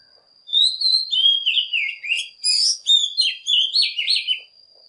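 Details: Oriental magpie-robin lure song to call in and provoke other birds: one continuous, lively stream of whistled, jumping and descending notes lasting about four seconds, with a faint constant high tone behind it.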